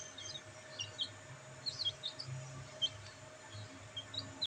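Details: Black bantam chicks basking in sunlight, uttering short, high, sharp peeps in loose irregular clusters, some doubled, over a faint low background hum.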